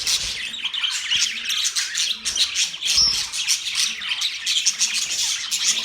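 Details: Several budgerigars warble and chirp at once, a thick high chatter of scratchy notes and squeaks with a single thin whistled note near the middle.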